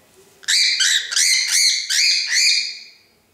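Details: Angry pet cockatiel, annoyed by a little ball on its perch, gives a rapid run of six or seven harsh, grating squawks, each with a rising, scratchy edge, over about two and a half seconds.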